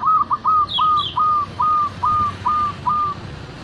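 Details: A local zebra dove, recorded as a lure to bring other doves quickly into breeding condition, sings a quick run of about nine clear, evenly pitched whistled coos under half a second apart, with a brief higher chirp near the start.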